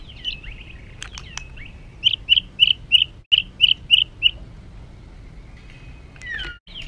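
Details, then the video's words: White-rumped shama singing an agitated, provoking song: a run of about eight short, sharply repeated chirping notes, evenly spaced, among soft whistles and a few clicks. "Materan kasar MURAI BATU penuh emosi...pacingan burung agar cepat emosi"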